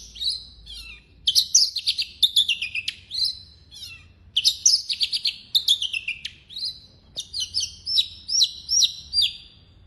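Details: Javan bush lark, blorok type, in full-fill song, jumbled bursts of high chattering and scratchy notes, a short lull, more chatter, then a neat string of repeated slurred whistles.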